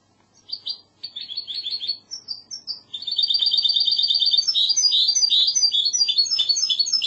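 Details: Spanish goldfinch hybrid, classical Andalusian singing: short spaced chirps and thin whistles build into a continuous, loud, rapid trill with bright twittered flourishes.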